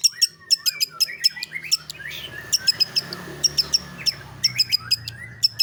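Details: Long-tailed shrike (pentet/cendet) singing actively in the 'roll tembak' style: rapid series of sharp, snapping clicks with short high piercing notes, repeated about every third of a second in bursts, with a faint low hum beneath.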